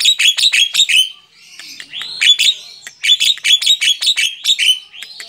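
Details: A tame Javan myna sings from a hand in repeated bursts of quick harsh chattering notes, each run of four to five notes separated by buzzy rising whistles.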